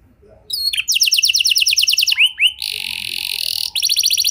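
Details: Canary singing as a prompt for other canaries: a bright rapid trill, two rising whistles, a buzzy rolling stretch, then a fresh trill starting.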